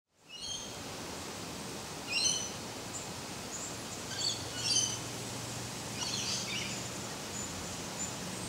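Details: Eastern spinebill feeding on the red flowers of a young Grevillea speciosa in an Australian garden; short, thin, high chirps in small clusters scattered across several seconds over steady background hiss and a faint low hum.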